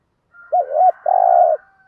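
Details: Spotted dove used as a decoy bird, calling to lure wild doves: two short low rounded coos followed by a longer, steadier rolling coo, with a faint thin whistle-like tone in the background.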